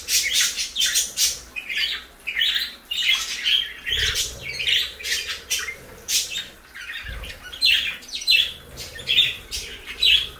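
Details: Parakeets eating lettuce give a steady stream of harsh, scratchy chattering calls, short bursts repeated about twice a second, over a constant low background hum.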